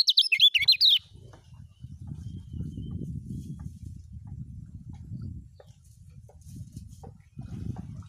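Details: Kecial kuning (lemon-bellied white-eye) from Lombok in ngejos song, a tutoring recording: a one-second flurry of high, rippling twitters, followed by several seconds of low, rumbling background noise.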